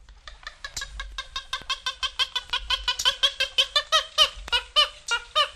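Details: Purple Gallinule (Porphyrio martinicus) from eastern and central North America giving a rapid series of harsh, nasal, clucking notes, roughly three per second, rising in intensity through the sequence.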